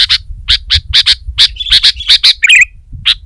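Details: Sooty-headed bulbul singing aggressively at a rival: a fast string of loud, bright chip notes, then a brief burry warble and one final chip, over faint low noise.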